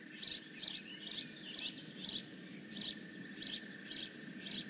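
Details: Bald eagle at the Decorah North nest, 15 May 2017: high, thin chirping notes repeated about twice a second in short bursts, over a steady background hum and low rustling.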